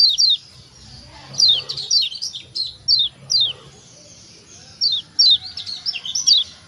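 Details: Kecial kuning white-eye of Lombok, call meant to stimulate other birds to sing: short groups of high falling tweets separated by pauses, ending in a busier twittering run.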